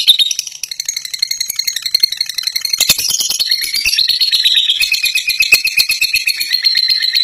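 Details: Extended ngekek chatter of a fighter lovebird: a nonstop, metallic, buzzing rattle of very fast pulses, with brief squeaky peaks mixed in, steady from start to finish.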